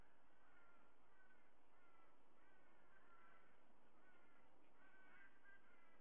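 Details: Live nest-cam audio of a white-bellied sea eagle: clusters of nasal, honking calls in quick bursts, several notes each, pausing between groups, under constant background hiss.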